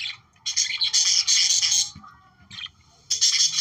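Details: Budgerigars warbling, played to stimulate breeding: dense bursts of scratchy, buzzy chatter high in pitch, separated by short quiet gaps, with a faint low rumble beneath.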